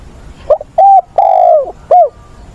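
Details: On 20/8 a spotted dove kept as a decoy, singing in giọng bổi ức chế style to train wild-caught birds, gives a single low phrase: short rough note, clean coo, long sagging coo, short rising-falling finish.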